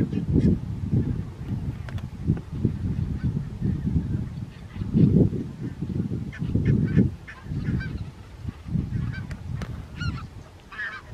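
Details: Barnacle geese recorded at Strijen, South Holland, the Netherlands, on 4 November 2024: constant overlapping low honks and gabbling, rising in louder bursts every second or so, with a few sharper yelps on top.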